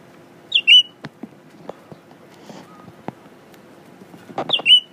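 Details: Pet Blue-winged leafbird singing at its mirror image indoors: a sharp slurred whistle opens, then scattered soft clicks and taps, and a matching whistled phrase returns near the end.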